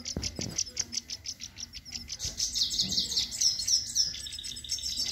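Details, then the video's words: Male and female European goldfinch singing together: rapid, bright, high tinkling twitters, about four notes per second, with tight clusters of sharp chirps in the middle and a short low rustle at the start. "gold finch liveing and singing سهره نر و ماده"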